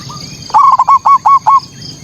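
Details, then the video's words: Zebra dove (perkutut) manggung song meant to provoke rival local perkutut. One soft lead note, then five strong rapid hooked coos in a tight series, with a faint high hum. "Suara pancingan PERKUTUT bikin lawan emosi"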